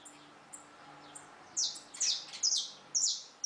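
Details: Belgian canary: after faint chirps, a series of strong, sharp high whistled notes, each dropping in pitch, repeated roughly every half second, over a low steady hum.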